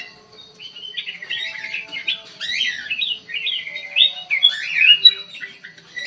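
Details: Aviary-kept black-crested bulbul pouring out a chattering, warbled song of quick up-and-down whistled notes, growing louder toward the end, with a steady low hum behind.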